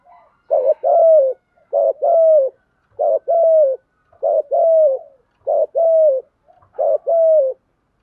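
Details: Spotted dove performing orderly thúc gù cooing: six phrases, each a brief clipped note and a longer, smooth, even coo, spaced about every 1.2 seconds, in otherwise silent surroundings.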